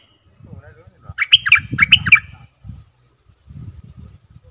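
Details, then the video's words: Lure calls of a bulbul meant to attract combative wild birds: four harsh, chirpy, up-and-down notes in two pairs over a low muffled rumble, with quiet thumping before and after. "Suara pikat merbah lekir"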